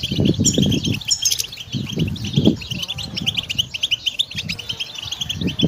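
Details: Pet European goldfinch twittering rapid high tinkling notes and short trills, accompanied by repeated loud low thumping or fluttering sounds.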